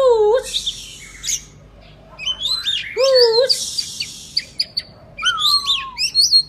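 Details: Oriental magpie-robin singing energetically, a recording used to coax quiet magpie-robins into singing back: loud, clear slurred whistles that rise and fall, mixed with harsh buzzy bursts and sharp high chips, in phrases separated by short pauses.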